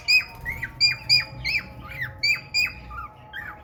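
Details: A male cockatiel courts a red-eyed female budgie with a short series of loud, sharp chirps. Each note drops quickly in pitch, and the notes are spaced a few per second.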